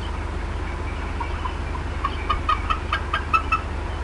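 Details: Upset mother bald eagle at the Decorah North nest, 18 April 2016, clucking as something may have been in her area: a few spaced soft chips that build into a quicker, louder run of sharp notes.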